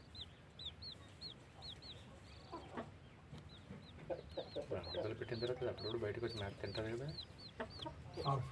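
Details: Newly hatched chicks with their blackish hen: thin, high arched peeps repeated quickly throughout, joined midway by the hen's low, rapid, rolling clucks, with some background rumble.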